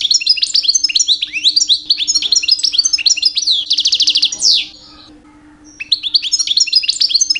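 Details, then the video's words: Rich mating-season song of a two-year-old European goldfinch, sung to attract females: fast high twitters, then a buzzy trill and a downward sweep, a gap of about a second, and the twittering resumes. "My 2 years old Goldfinch song"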